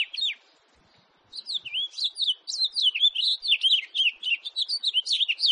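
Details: House finch in 2018 giving a fast, warbling run of high, looping chirped notes after a brief opening phrase and a short pause, the notes tumbling up and down in quick succession.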